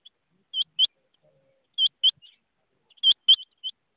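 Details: Rain quail giving clipped, high double notes in quick pairs, repeated roughly every 1.3 seconds, with a few softer extra notes near the end; quiet background.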